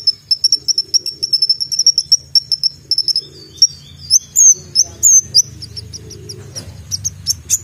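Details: Brown-throated sunbird, locally called konin or kolibri ninja, singing in full voice with sharp shot-like notes: a fast run of thin high chirps, then louder piercing, slurred whistles at a higher pitch, scattered and irregular.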